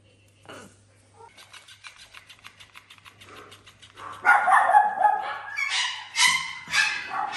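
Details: Pet parrot kept indoors in a house with other exotic animals. Soft scattered noises at first, then loud, harsh, broadband squawks break in after about four seconds and come in rough bursts until the end.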